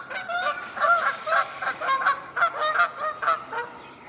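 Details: Canada geese, apparently flying in and landing, honk together in a ragged overlapping chorus, about ten nasal two-toned honks in four seconds, at a wetland with mallards on 14 May 2022.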